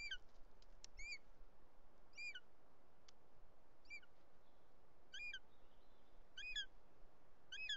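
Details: Bonelli's eagle (Aquila fasciata) at a nest in Els Ports, Catalonia, on the afternoon of 2 July 2023, where a male brought a snake to the chick and an intruding female arrived: short, high, ringing yelps about once a second over low wind rumble.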